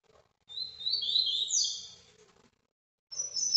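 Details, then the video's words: Live recording of a captive ultramarine grosbeak in the Paraná vinte vinte song style: a warbling phrase of slurred high whistles, silence, then a new very high phrase beginning. "azulão Paraná vinte vinte ao vivo"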